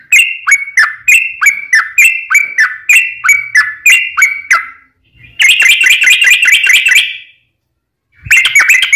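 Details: Yellow-vented bulbul in fighting song with long rolling phrases, used to provoke rivals to reply: fast regular chain of liquid whistles, a pause, a denser higher burst, then another short run.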